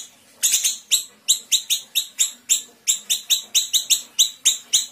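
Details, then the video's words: Small Sumatran siri-siri bird giving rapid, sharp high notes fired in a tight series, about four every second, bright and ringing, with nothing else audible. "Siri-siri kecil gacor tembakan rapat"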